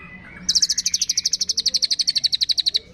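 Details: Mimicking long-tailed shrike, song filled with imitations of cililin, fighting sparrow, lovebird, tengkek and kapas tembak; a sudden high rattling trill of evenly spaced sharp notes runs for just over two seconds, then stops.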